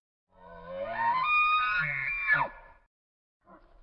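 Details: Chicken crowing in winter with snow falling: one drawn-out harmonic call, rising, held, then dropping sharply after about two seconds, followed by silence and a brief faint sound.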